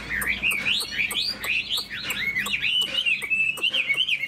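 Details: Chinese hwamei in a cage, tail fanned and wings flicking, gives fluid upslurred and downslurred whistles. Regular sharp clicks punctuate the song about twice a second.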